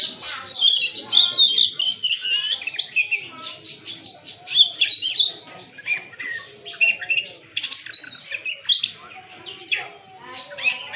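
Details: A kacer (Oriental magpie-robin) sings a long, dense run of borrowed phrases while other birds also call. Busy, scratchy, high chatter continues for about eleven seconds with brief gaps.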